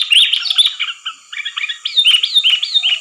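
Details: Sooty-headed bulbul calling hard for a trapping lure: rapid, twittering, slurred notes with a few clearer upslurred whistles near the end, several notes per second.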